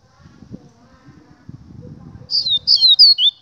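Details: Short Double-collared seedeater phrase: four or five high, bright whistled notes, each falling in pitch, following a stretch of quiet low background noise.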